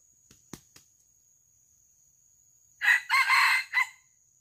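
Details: Wild junglefowl recorded while being lured for live capture. A few sharp clicks come first, then a single harsh three-part crow: short burst, drawn-out middle, abrupt ending note.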